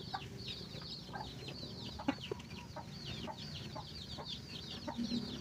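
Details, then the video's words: Chicken finding food for its chicks: bursts of bright, downward-curving peeps in quick series, with occasional low clucks and knocks beneath. "Chicken find a food for their baby"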